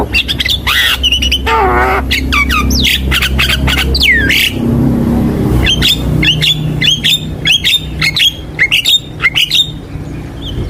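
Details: Javan myna lure song for young birds: a harsh harmonic squawk, looping whistles and many sharp chirps over a low rumbling background.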